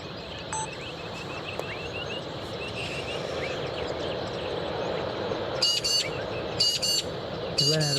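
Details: A Rainbow Bee-eater perched on a power line in Red Rock Heath, NSW, Australia, where the birds arrive to breed, gives quick, high peeps in a loose series, with louder rolling calls as another bird tries to land on its spot, over wind.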